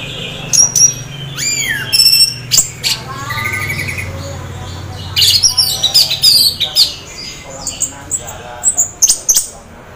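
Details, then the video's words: Half-breeding-condition anis merah singing to encourage other orange-headed thrushes to join in; mixed rising whistles, buzzy trills and clusters of sharp high chips spread across the phrase. "anis merah teler setengah birahi bagus untuk pancing anis lain agar ikut bunyi"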